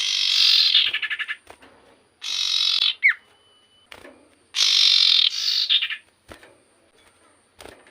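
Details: Common iora singing in harsh, buzzy bursts of about a second, with short rattling trailing notes and a quick descending whistled note between phrases.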